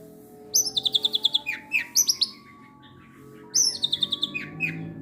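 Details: Long-tailed shrike (cendet) kept as a songbird, singing learned material: two bursts of rapid stuttering high notes ending in downward slurs, separated by a quiet pause, with low room hum throughout.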